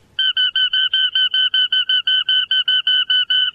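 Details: Small rail of dense grassland, more often heard than seen, ranging from Costa Rica to southern Brazil, giving an even series of about fifteen short, clear notes on a steady pitch over three and a half seconds.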